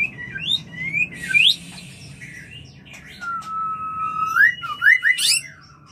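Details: White-rumped shama mating song aimed at bringing on breeding: rising whistled slurs and upward sweeps, a long steady flat whistle, then a quick run of rising whistled notes, with faint background hum.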